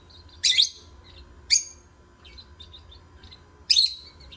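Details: Three loud, shrill lovebird chirps with soft twittering notes between them, over a low continuous hum.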